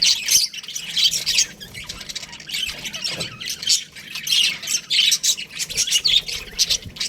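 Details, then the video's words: Aviary of baby budgies squawking and chirping, harsh high scratchy notes from several birds in uneven bursts. "Baby Budgies Chirping Sounds | Amazing budgies aviary"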